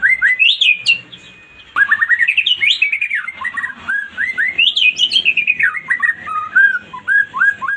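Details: Lure song of a white-rumped shama, played to prompt a quiet bird to answer: fast chains of clear rising and falling whistles, one brief lull near the start, then continuous rippling phrases.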